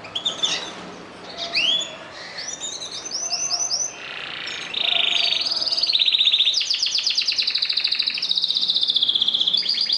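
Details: Canaries singing: a fast, varied high song of upswept whistled notes, short rattling trills and buzzy rolls, swelling into loud rapid pulsed trills in the second half.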